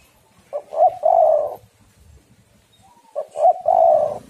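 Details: Female spotted dove calling to lure and stimulate males: two phrases about 2.6 seconds apart. Each has quick short notes followed by a long, burry, low coo.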